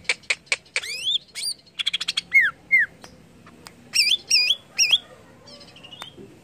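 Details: Greater green leafbird song used to stimulate other leafbirds to sing: fast clicks and sharp ticks, then slurred whistles bending down and up, and a run of looping upswept notes.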